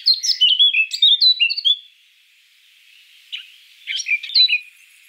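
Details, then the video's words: A Eurasian blackcap (Sylvia atricapilla) sings two bright, rapid bursts of varied fluty whistles and chirps, separated by a brief pause. "Eurasian Blackcap (Sylvia atricapilla)"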